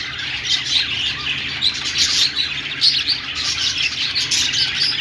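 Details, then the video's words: Budgerigar song: an unbroken stream of high, twittering chirps and harsh squeaky notes rising and falling in loudness, with brief louder bursts every second or so. "Australian parrot singing |love birds sounds |parakeet chirping sounds |budgies"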